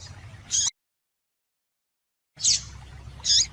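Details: Short high chirps of a female yellow-bellied seedeater, meant to excite males. Single notes break around a sudden cut to silence, with low hum in the background.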